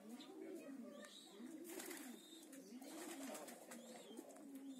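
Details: Homing pigeons cooing indoors, low throaty coos rising and falling about once a second, repeated through the recording with some clatter in the background.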